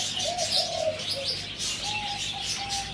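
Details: Zebra dove, four months old, near Sanam Luang 2, on 2 November 2025: soft, low rolling coos with a short rising note, set against a dense wash of high-pitched chirping and hiss.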